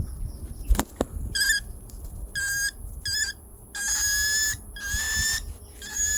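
A young cockatiel gives repeated raspy, buzzing begging calls while being hand-fed.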